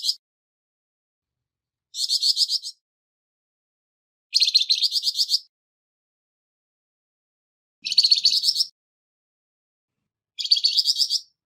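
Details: Harsh-voiced Flamboyan bird used as training material for songbirds repeats grating, pulsed phrases about every two and a half seconds, five in all, each under a second long, in a quiet recording.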